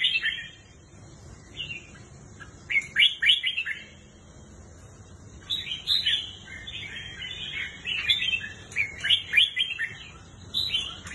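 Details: Red-whiskered bulbul, Pycnonotus jocosus, offered for sale, giving bursts of bright, warbling whistled phrases in irregular clusters, separated by quieter gaps, over a steady low background hum.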